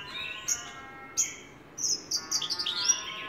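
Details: Javan bush lark song with isolated sharp notes, then a rapid sequence of high buzzy chirps; a faint steady tonal hum underneath.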